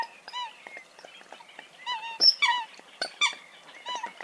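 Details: Eurasian coots uttering nasal, harmonic honks and squeals, some descending, some short and clipped, arriving in uneven clusters with brief gaps between them.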